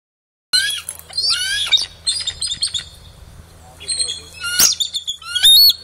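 A bald eagle gives thin, high piping chirps in quick stuttering bursts, pausing briefly between series, with a faint low hum behind.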